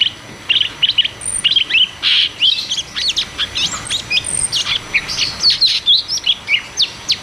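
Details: Cucak cungkok delivering "ngeroll tembak" rolling song, played as therapy for caged birds that have stopped singing: continuous fast sequence of high whistled notes, sharp upslurs and short bursts, closely spaced with no pauses.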